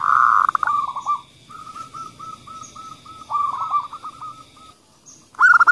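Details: Local female zebra dove calling, then a kerot male answering, used to stimulate other doves: a loud rolling opening burst, then soft staccato notes in rapid strings, with a loud trill at the end. A faint steady high hum persists.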